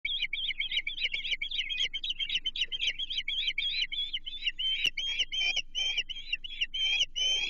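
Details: Wild ospreys at a Chesapeake nest, 28 June 2023, as an American shad is brought for feeding: a fast, steady string of high, shrill chirps repeated several times a second, with faint rustling below.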